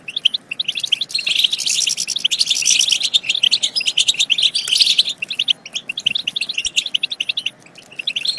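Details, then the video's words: European goldfinch twittering used to urge goldfinches to sing and mate. A dense, buzzy stretch of overlapping high notes gives way to sparser, rhythmic chirps near the end. "بتبتات خرافية في تحفيز الحسون على التغريد"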